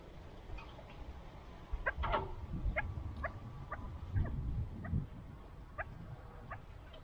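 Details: Kept chukar partridges making a scattered series of short, sharp clucking notes, about ten in seven seconds, with low rumbling and knocks behind.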